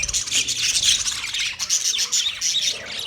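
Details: Budgerigars in a 30-pair colony, an unbroken wall of high chirping and warbling from many birds together.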